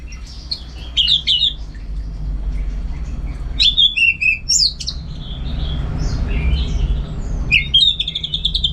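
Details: Orange-headed thrush singing vigorously: separated bursts of sharp, twisting high notes and chattery fragments with short pauses, a low rumbling background throughout.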